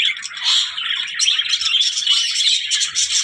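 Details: Budgerigar squawks and chirps, a harsh note at the start followed by rapid, high warbled twittering.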